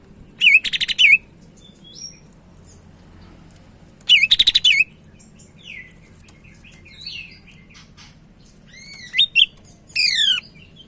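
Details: Sumatran leafbird from Medan in energetic song as a tutor bird: two rattling looped trill bursts, scattered soft twitters, then rising chips and a descending whistled run, with a low hum throughout.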